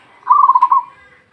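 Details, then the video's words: Single brief, fast-pulsed coo of a local zebra dove, a lure call, with a soft click partway through the trill. "SUARA PERKUTUT LOKAL BUAT PANCINGAN"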